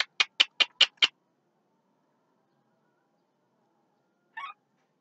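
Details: At midday a Javan myna delivers five fast, evenly spaced harsh clicking notes in about one second, then falls silent before a single lower, rougher note.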